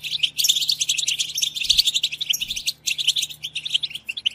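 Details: European goldfinches in a group chorus, locally called batbata, meant to stir goldfinches into singing: dense, high, rapid twittering and chirps with brief gaps, over a faint low hum.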